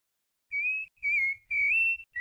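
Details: Rufous-bellied thrush delivering a Brumado fluted song, three smooth sustained whistles, the last gently rising, followed by the start of a fourth, with a slight low rumble beneath.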